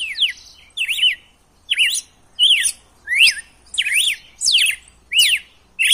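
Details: Red-cowled cardinal, a 'wild' style song used to stimulate a captive male to sing: loud, clear whistled phrases of rising and falling swoops, about one phrase every second, with bright high overtones over a quiet background.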